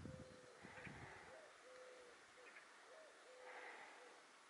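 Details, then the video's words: Little owl at Roquesérière on 5 August 2022: mid-pitched hoots, drawn-out level notes alternating with short upslurred yelps, repeated over several seconds, against low rumbling bumps and a steady hiss. "Chouette Chevêche"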